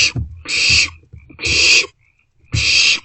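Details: Young barn owls in an owl box, shortly before 2 am on 27 March 2024, passing a meal between them. Three long, raspy screeching hisses come about a second apart, with faint low rustling between.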